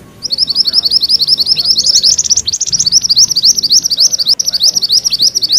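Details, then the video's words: Mantenan kuning in energetic rolling song: an unbroken stream of fast, high, sharp notes, each slurred downward, repeated evenly for over five seconds. "Suara MANTENAN KUNING ngerol"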